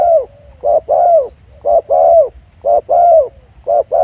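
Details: Spotted dove recorded live in the field at Pha Sing, Thailand, giving low hollow coos around the same pitch: short notes followed by longer, slightly falling coos, repeated about once a second with brief gaps between phrases.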